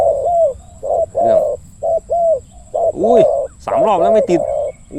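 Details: Decoy spotted dove delivering its deep 'khu-ang' cooing during a dove-luring session: short, low, even coos repeated roughly once a second, partly overlapped by a man's voice and whistled sounds toward the end.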